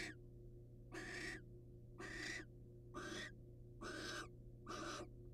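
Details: Wild barn owls, male presenting prey to female; quiet, steady snoring hisses, six breathy bursts roughly a second apart over a low hum.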